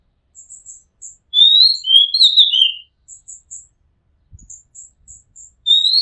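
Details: Oriental magpie-robin recorded from a rooftop: a loud phrase of slurred whistles ending in a buzz, with soft high repeated chips before and after and a brief knock in the background.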